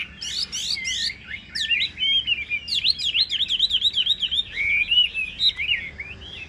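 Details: A caged Chinese hwamei, about 85–90% tame, sings a loud, rich run of varied whistles, opening with a few sharp rising notes and then rapid rolling, looping phrases without pause.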